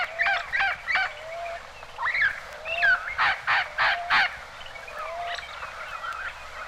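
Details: Red-crowned Parrot of northeastern Mexico, archival recording; harsh squawks in short bursts mixed with upslurred whistled notes, a series of four loud rasping squawks near the middle, a Common Ground Dove faintly in the background.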